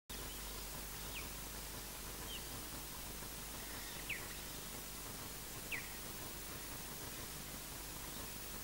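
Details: Osprey at the Loch Garten nest in Scotland, filmed as returning bird Cromarty (PP7) arrives and EJ defends, with Odin heard: four sharp, high, down-slurred whistles spaced one to two seconds apart over steady wind hiss.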